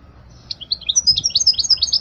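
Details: European goldfinch, song for training young birds: a short, quickening string of high, sweet tinkling chirps that run together into a bright twitter.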